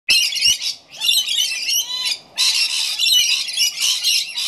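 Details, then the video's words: Rainbow lorikeets at an afternoon feed, 19 September 2016: harsh, raspy screeches in overlapping bursts, a loud flock chatter with brief gaps between volleys. "Rainbow Lorikeets Feeding"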